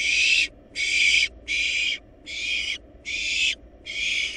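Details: Harsh, noisy screeching hisses from wild barn owl nestlings in a nest box while devouring a large rabbit, six half-second bursts in quick, steady succession.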